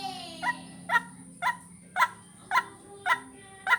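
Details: White-breasted waterhen lure recording for attracting birds: short harsh notes repeat about twice a second, each a clipped croak with stacked overtones, over a steady high whine and faint low hum.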